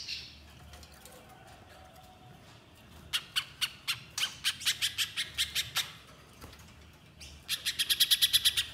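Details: Little spiderhunter singing. Loose, sharp chip notes spaced at uneven intervals give way to a tight, accelerating volley of high chips at the end.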